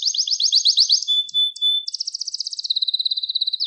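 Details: Gloster canary singing a training song used to excite males and tutor young birds: fast high trills of repeated syllables, a brief pure whistled note, then a quicker rattling roll ending in a downward sweep.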